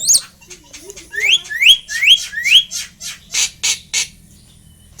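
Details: Tame Asian pied starling that mimics people, giving four loud rising whistled notes in a row, then harsh rasping bursts.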